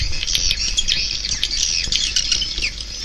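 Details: Busy chatter of swiftlets: rapid high-pitched chirps and twitters overlapping without pause, a crowded chorus of birds.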